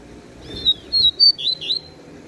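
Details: Short "canto fibra" phrase from a double-collared seedeater: five or six clear, high whistled notes in quick succession, some sliding and slurred, over a quiet background.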